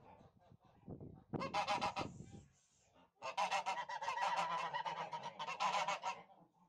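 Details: Domestic Tula fighting geese from Russia honking: a short harsh burst, a pause, then a long run of fast, rough, overlapping nasal honks from a noisy flock.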